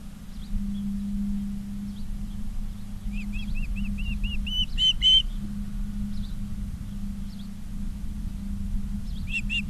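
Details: Ospreys at a nest in Charlo, Montana, on an August 2023 afternoon. A rising series of short whistled notes builds in the middle of the clip. A loud low electrical hum runs throughout, with faint chirps nearby.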